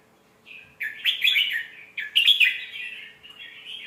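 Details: Song of a red-whiskered bulbul, played to train young birds: a brief lead note, then two bright tumbling bursts of warbled chirps, the second trailing into softer notes.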